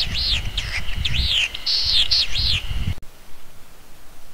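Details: Latham's snipe calling while perched, giving a rapid run of harsh, arched notes, about three each second for three seconds, then falling silent; low wind rumble underneath.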